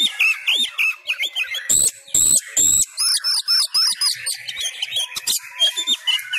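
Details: Sumatran white-rumped shama, kept in a cage and trained at home, delivering fighting-style song: rapid repeated chattering notes, several loud harsh bursts, and high piercing whistles in quick succession.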